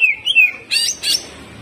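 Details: Caged greater green leafbird singing a hyperactive, harsh rapid-fire song used as a warm-up master recording: a gliding whistle wavering down, then two bright buzzy chattered bursts.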